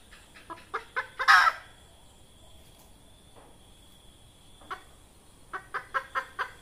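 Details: Red junglefowl hen, whose call serves to lure wild junglefowl into traps: quickening clucks leading to a loud harsh squawk, a few isolated faint clucks, then a final even series of six clucks.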